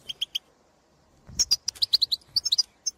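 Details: Wild goldfinches in the field calling to others of their kind: three quick chirps, a pause, then a lively run of sharp, high, liquid notes.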